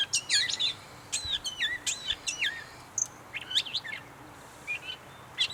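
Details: At North Tetagouche, New Brunswick, a gray catbird delivers clusters of quick, scratchy, warbling notes, each burst different from the last, separated by brief pauses.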